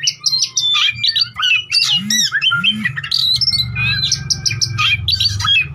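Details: Oriental magpie-robin lure song, used to prompt rival birds to sing and respond: loud, varied whistled phrases with rising and falling slurred notes and harsh chips, tumbling quickly over a steady low hum.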